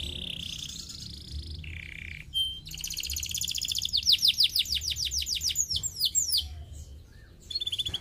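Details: Canary song used to stimulate idle canaries to sing: a varied, high-pitched song of steady whistled notes, then a fast run of repeated rolling trills and a buzzy closing phrase.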